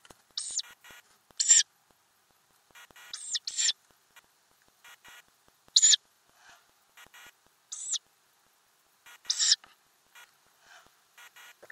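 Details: Ural owl nest box with adults and owlets, camera mounted inside under the lid, May 2020; short rasping hisses repeated irregularly, some single and some paired, separated by quiet stretches with faint rustling.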